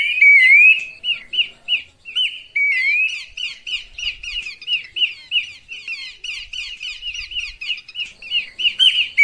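Horsfield's babbler giving rapid, harsh chattering notes, about three per second, used as a lure call.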